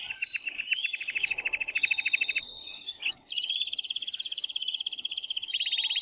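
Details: Very loud song of an excited male canary urging the female to mate, played for young birds: a layered fast trill, a brief chattering break, then a long steady rolling trill.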